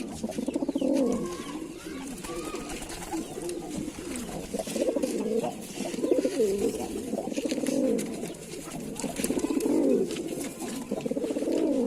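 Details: Lalsara pigeon cooing in a continuous run of low, throaty, rolling coos, overlapping phrases swelling and falling in pitch with little pause between them, over a faint steady background hiss.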